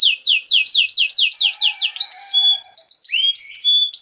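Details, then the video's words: Canary song used to train young canaries to sing: fast repeated descending sweeps in a rolling trill, then shifting to clear whistled notes and higher tours, clean with no background noise. "This Canary Sound Is Very Effective For Early Childhood Canaries To Sound"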